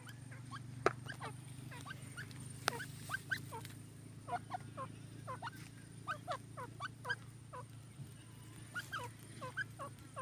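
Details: Purebred partridge calling: a series of short, sharp notes that drop in pitch, given irregularly at moderate volume over a steady low electrical hum.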